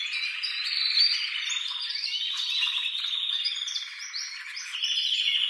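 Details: Male canary singing to stimulate mating, mixed with female calls from the nest: varied high warbled phrases, sliding whistles and short rolls in shifting pitch, steady and fairly soft throughout.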